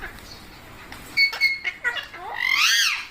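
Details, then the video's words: Parrot uttering a few short clicking and squeaky notes that build into one long, loud, rising and falling harsh squawk at the end. "Parrot Natural Sounds Compilation/ Parrot Talking Videos|Parrot Ki Awaaz|Mitthu Ki Awaaz|"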